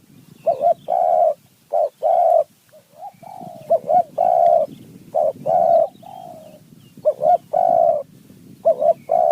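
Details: Wild spotted dove called in by a decoy, its phrasing described as 4-3-2-1 and 1-2: a long run of low, resonant coo phrases, each of several clipped notes, repeated steadily over nine seconds.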